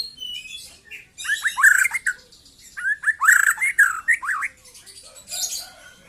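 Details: Young white-rumped shama singing: bursts of slurred, rising whistled notes mixed with scratchy, buzzy chatter, in two main phrases with a softer trailing bit.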